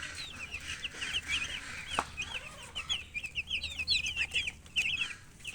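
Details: Baby chickens chirping: many overlapping high, thin peeps, short rising and falling notes repeated rapidly and continuously, several chicks calling at once, with a few faint clucks and light background noise.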